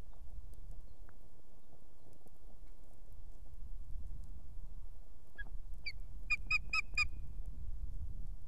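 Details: At an osprey nest in Estonia holding a female and two chicks, where the female calls the male in before he arrives with fish, an Osprey gives a quick burst of about five sharp whistled chirps near the end, over low wind rumble.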